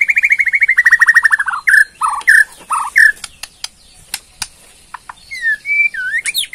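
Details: Caged Borneo white-rumped shama in rattling ketrekan song meant to draw a reply: a fast trill of repeated notes falling gradually, then separate loud whistled syllables, clicks, and high rising and falling whistles at the close.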